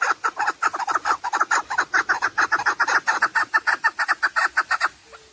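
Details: Chukar partridge, recorded to help hunters: a steady, quick run of throaty clucks that ends abruptly near five seconds, followed by a faint fading tone.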